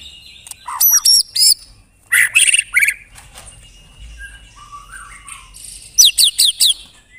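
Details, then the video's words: White-rumped shama (murai batu) singing in the dense 'tembakan rapat' style, a mimic of other birds' songs: loud rapid bursts of high buzzy notes, a quiet warbling stretch, then a fast run of sharp descending notes. "Tembakan Rapat Burung Murai Batu"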